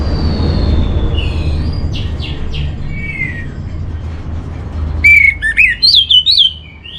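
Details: Master song of an orange-headed thrush, used to settle the temper and breeding drive of birds kept at home: soft descending whistles, then a loud burst of sharp, repeated notes with bending slurred tones over a steady background rumble.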